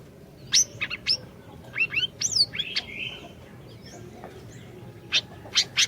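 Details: Orange-bellied leafbird song used as a lure to get a silent bird singing: sharp high whistled notes and rising sweeps in bursts, a level buzzy phrase near three seconds, then scattered high chips after a pause.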